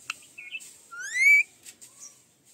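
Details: Pet parrot giving a short whistled phrase: a soft double note, then a clear rising whistle about half a second long, followed by faint clicks and quiet chatter.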